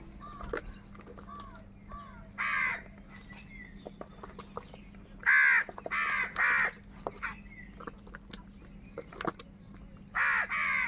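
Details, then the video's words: Crows contesting food, scattered rasping caws: a single call, then a tight cluster of three or four harsh caws, and another late, among small clicks and a steady hum. "crow bird live crowing sounds | Crow bird Fight for Food"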